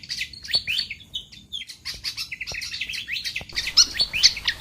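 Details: Lure recording to attract wild pied fantails: continuous fast twittering of high, thin chirps and short slurs, with a few bright piercing notes near the end.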